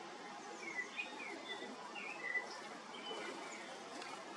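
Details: A pair of Eurasian bullfinches (Pyrrhula pyrrhula) feeding, giving soft, short piping whistle calls, about one or two each second, over a steady hiss of background noise.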